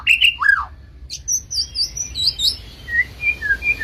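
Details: Medan white-rumped shama giving a harsh chattering note and a falling slur, then a string of high clear whistles and softer lower piping notes repeated at an even pace.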